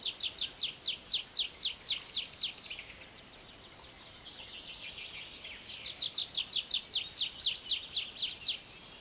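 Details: Ground-perched tree pipit singing short strophes, briefer than its flight song: two bright series of high, downward-slurred notes, about five per second, separated by a softer buzzy pause, with a faint hiss behind.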